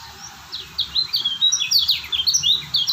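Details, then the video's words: High, quick, chattering song from a Lombok white-eye (kecial kuning), with clustered downslurred and upslurred whistles that grow louder partway through. "Lombok Kecial Kuning si Joker burung Stabil"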